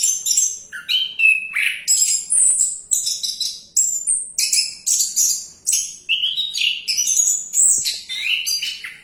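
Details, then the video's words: Orange-headed thrush singing on while bathing, a rich, varied run of high whistled and chattering phrases, some sliding up or down, delivered in rapid bursts with almost no pause. "Anis Kembang || Sambil Menyelam Tetap Lanjut Bunyi"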